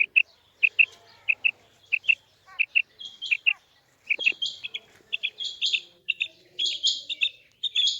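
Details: Female quail calling: short whistled notes in close pairs, repeated about every half second, then louder, harsher, buzzy bursts in quick clusters toward the end.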